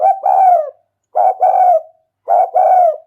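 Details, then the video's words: Decoy spotted dove calling to draw in wild doves: three close, repeated coo phrases, each a brief clipped note then a longer, throaty, slightly falling coo, delivered roughly once a second with no other sounds. "Tiếng chim cu gáy mồi rút bổi"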